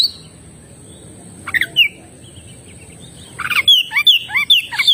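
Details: Oriental magpie-robin singing vigorously: a long quiet gap, a few brief high whistled notes at first, then a lively burst of sliding, rising and falling whistles and chirps near the end, over a faint steady high hiss.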